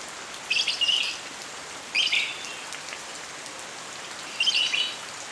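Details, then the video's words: Lovebird chirping in morning rain: three short bursts of shrill chattering twitters, each under half a second, spaced a second or more apart over steady hissing rainfall. "Hujan di pagi hari Lovebird ber kicau"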